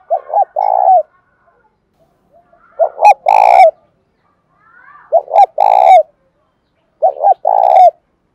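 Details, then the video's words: Repeated spotted dove coos in the 'bài bản bổi' song style, meant to make a silent captive dove sing. Four phrases, each a quick double note and a longer coo. One phrase is louder and harsher. "cu gáy bài bản bổi nghe khó đỡ nhất hiện nay, khó mấy cũng phải gáy theo"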